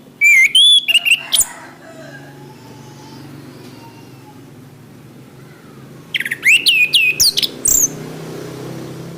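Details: Orange-headed thrush song, played for training caged birds: two bursts of loud, varied high whistles and sweeping slurred phrases separated by a long pause, over a low background rumble.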